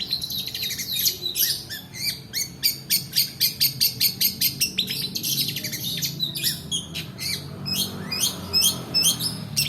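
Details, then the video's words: Long-tailed shrike 'roll' song, offered as a lure to make lazy shrikes sing and for tutoring other birds: a fast, even stream of sharp high notes, thinning into slurred calls after seven seconds. "PANCINGAN PENTET MALAS BUNYI ROLL DURASI COCOK UNTUK MASTERAN"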